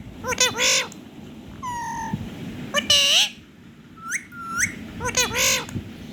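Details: Rose-ringed parakeet, a talking pet ringneck shown singing and dancing, gives loud rasping squawks, a steady two-pitched whistle and paired rising chirps in an uneven sequence, with low indoor background noise.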